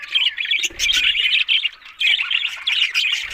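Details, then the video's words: Australian budgies twitter in short bursts of scratchy, squawky warbling with bright chirped notes and brief gaps between phrases; a faint low thump sounds twice. "Beautiful Talking Budgies Australian Parrot Sounds"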